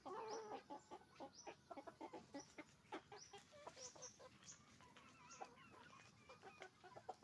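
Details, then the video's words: Roosters and hens on a chicken farm making noise: a dense run of short clucks and cackling notes from many birds, some sharper high squawks, over steady low background noise. "Moment of the sound of a chicken farm, roosters and hens making noise"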